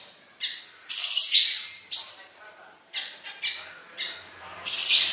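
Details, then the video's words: Siri-siri besar calling hard, recorded for training songbirds: loud rasping high bursts about once a second, with softer chirps between them and a thin steady high tone behind. "Masteran burung siri siri besar gacor"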